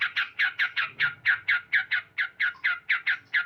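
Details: Morning song of a male sooty-headed bulbul: about fifteen evenly spaced, strong, chopped 'cuk' notes in three and a half seconds, over a faint low hum.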